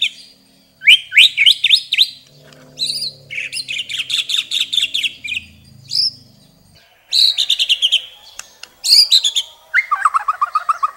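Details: Shama, known locally as murai batu, in a rich, varied long-burst song: rapid stuttering phrases of repeated sharp notes, buzzy trills and descending whistles in several bursts with brief pauses, over a low hum.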